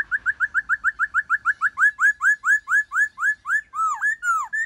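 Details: Forest-style ('giọng rừng') song of a white-cheeked laughingthrush, used to stimulate captive birds to sing: a fast, steady series of clear upslurred whistles, roughly two per second, ending in deeper swooping notes, with no background sound.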